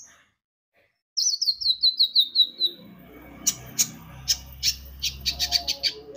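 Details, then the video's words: Konin, the olive-backed sunbird, sings energetically as a lure for other birds: a descending run of rapid high twittering notes, then crisp clicking chirps in quick bursts over a faint low background hum. "Pancingan Kicau burung konin gacor"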